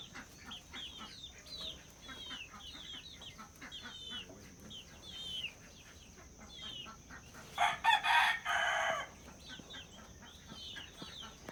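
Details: Hens and roosters on a farm in Villeta, Colombia: quick high chirps repeat through the clip alongside soft clucking, then a loud, harsh, drawn-out call lasting over a second breaks in near the end before the chirping resumes.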